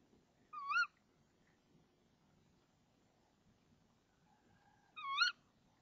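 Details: Female tawny owl at the nest at 05:28 on 26 March 2014, calling as the male arrives with a frog: two sharp, nasal, upward-twisting calls about four seconds apart, a faint low drawn-out tone before the second, with background hiss.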